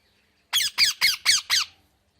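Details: Parrot producing five loud, harsh squawks, evenly spaced about a quarter second apart, in a quiet indoor setting.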